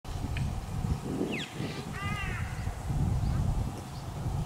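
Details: Rainbow lorikeet feeding in Australia gives two short, harsh rasping calls above a constant low rumble of wind or traffic.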